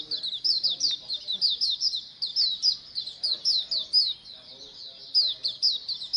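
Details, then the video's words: White-eye (pleci) colony sound to make birds sing more: nearly unbroken high, sharp chirps from many birds, short dips in loudness between bursts. "Pleci Koloni agar BUKPAR AGAR RAJIN BUNYI"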